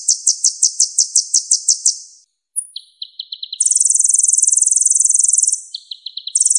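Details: Varied high song of a purple-throated sunbird, known as kolibri ninja: spaced ringing notes, a thin upslurred whistle, a lower quick stutter, then a long dense buzzing trill and another stutter.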